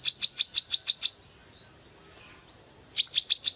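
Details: A female Brown-throated sunbird calling to a male delivers about eight quick, shrill chirps. Nearly two seconds of near-silence follow, with faint thin notes, then a fresh burst of rapid chirping.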